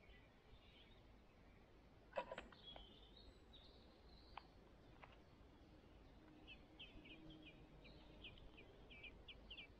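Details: Five Song thrush nestlings at the nest waiting to be fed. Sharp clicks and rustling come first. Later a rapid series of short, high chirps runs steadily for about three seconds over a constant low background hiss.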